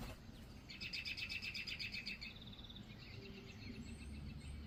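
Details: A blue jay that has come up onto a deck to look closer at other birds at a feeding dish gives a quick run of short, bright chirping notes, about four each second, over a thin hiss and low outdoor rumble.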